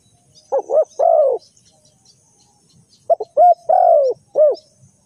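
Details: Spotted dove used as a lure in bird trapping, giving two phrases of low, hollow coos: short clipped notes rising into a longer drawn-out coo that falls at the end, with a pause of about two seconds between phrases.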